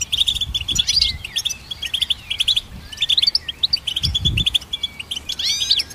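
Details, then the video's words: Goldfinch song, used as training material for songbirds: bursts of fast chattering notes separated by short gaps, with occasional upswept whistles toward the end and faint low knocks in the background. "Goldfinch Symphony"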